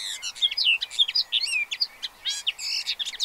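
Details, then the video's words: Pied avocets with chicks at Séné Nature Reserve, Gulf of Morbihan, 30 April 2023. Clear high piping whistles and quick chirps in a rapid run, with a short quieter gap midway. "AVOCETTE Élégante/Poussins 2023 ! BRUITX"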